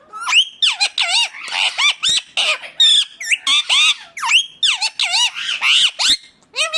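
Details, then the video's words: Indian ringneck parakeet giving loud harsh squawks and rising-falling screeches in quick bursts, strongly harmonic and high-pitched, repeated with short gaps; an indoor room sound. "ringneck 🦜 natural sound"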